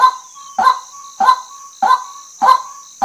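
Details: Harsh, goose-like kwak notes from a female white-breasted waterhen, about six in three seconds at an even pace, each clipped and nasal, with a persistent high electronic-sounding whine and a thin sustained tone underneath.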